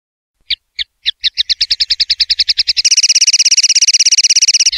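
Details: Common linnet, a clean-singing bird from a 2021/2022 training recording, gives a loud song. Separate chips start slowly, then speed into a fast even rattle and become a dense, high, buzzy trill that runs to the end.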